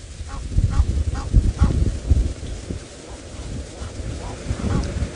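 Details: Egyptian geese at water in Djuma, Sabi Sand, South Africa, on a hot October afternoon, give harsh, nasal alarm honks, several a second, warning of a male leopard as they swim toward him, over a heavy low rumble of wind or engine noise.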